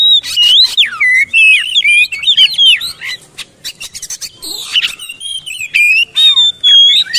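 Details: Rich, fast oriental magpie-robin song for stimulating silent birds to sing: tumbling looping whistles and chirps packed closely, a brief quieter pause midway, then renewed bursts finishing with a long level whistle.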